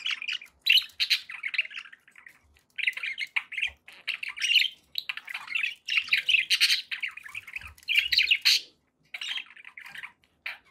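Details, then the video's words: Pet budgerigars kept as company for other parrots, chattering in dense bursts of scratchy warbles and squawky chirps, phrases broken by short pauses, with faint low thumps in the background. "1 hour of budgie sounds to keep your pets in happy bird company"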